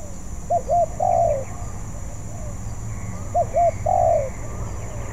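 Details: Spotted dove still in training sings two phrases, each a double short coo followed by one extended, downward-drifting coo, with a quiet continuous hum throughout.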